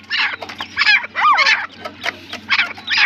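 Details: Rasping partridge calls in quick succession, several loud grating bursts with a curved, wavering note near the middle, and a faint low hum behind.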